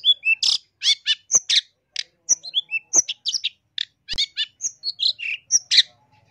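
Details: Varied long-tailed shrike song used as a master recording to train caged birds and attract wild ones: a dense stream of whistled, chirped and buzzy notes, some sweeping down, delivered almost without pause, with a couple of sharp clicks.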